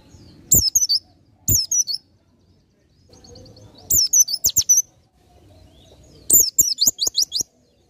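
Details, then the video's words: Oriental white-eye song of the ngalas nembak type, used for masteran: brisk high-pitched chattering phrases in four bursts, the last a fast run of repeated sharp notes, with soft tapping sounds between. "PLECI NGALAS NEMBAK"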